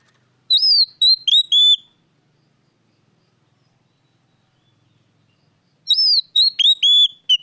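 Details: Oriental magpie-robin in full lure song meant to stir caged birds, sung as two bursts of whistled, downslurred notes several seconds apart with a long silent gap between them.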